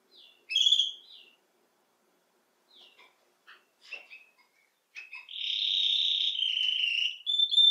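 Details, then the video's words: Domestic canary, known as canário-belga or canário-do-reino, singing: scattered short chirps and brief twittering phrases separated by pauses, then a long, steady, fine high trill that lasts about two seconds before closing on clipped notes. "CANÁRIO BELGA CANTANDO"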